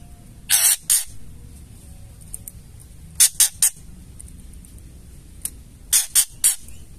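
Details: Female white-rumped shama ketrekan, a call used to provoke males into singing: bursts of grating, scratchy notes in small clusters of two or three, separated by pauses of about two seconds, over faint background hum.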